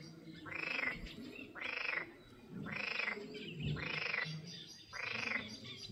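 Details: Greylag goose (Anser anser) at the Izliv Soče nature reserve on 14 June 2024, giving five harsh, nasal honks, one roughly every second, over a low background rumble.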